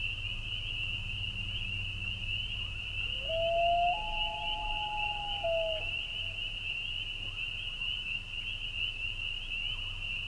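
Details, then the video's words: Common loon in spring at Rangeley, Maine: one long, smooth, mournful wail that rises and holds steady for about three seconds, over a dense, unbroken high trilling chorus of spring peepers and a low steady hum. "Loons and spring peepers in Rangeley Maine"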